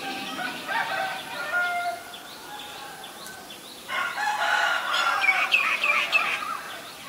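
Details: Black-collared starling recorded in Ubon Ratchathani, Thailand, on 17 April 2022: harsh, layered, harmonic notes mixed with short whistles. A loud, busy burst comes in the second half. Thin, repeated chirps from other birds sound in the background.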